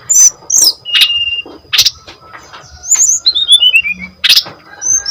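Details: Brown-chested jungle flycatcher in full song, a lure to trigger other birds of its kind and a tutor for untrained ones; scattered sharp notes, a clear sustained whistle, and a descending series of slurred whistles stepping downward.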